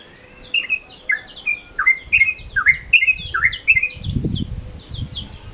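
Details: Yellow-vented Bulbul midday-style calls for luring: a chain of brisk, slurred chirps, some dipping sharply, repeated irregularly over a low rumbling background noise.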